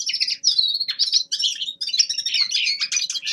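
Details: Common linnet, a young male, in winter warm-up singing: a continuous stream of high, rapid chirps, twangy whistles and dry trills, with barely a pause throughout.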